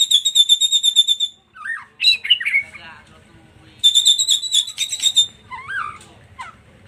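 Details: Song used as a lure to set a white-rumped shama singing: fast high rattling trills alternate with short slurred whistles and squeaky notes.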